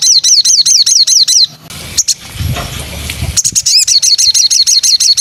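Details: Murai, the white-rumped shama, training song: fast, ringing repeated high notes, a short break filled with a noisy rustle and low rumble, then the same rapid, down-slurred volley resumes, aimed at 'nembak' singing.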